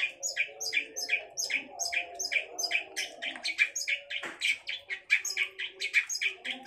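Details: Sustained chatter of a long-tailed shrike, a steady, fast series of short harsh notes about three per second, alternating lower rasps with higher squeaky ones.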